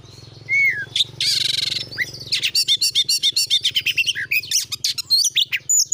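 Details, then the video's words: Oriental magpie-robin giving a lure song to coax a kept bird into singing: a falling whistle, a harsh buzzy rasp, then a long series of fast, evenly spaced chirps and high slurred whistles over a faint low hum. "jadikan burung Kacer anda cepat gacor dengan pancingan burung Kacer ini"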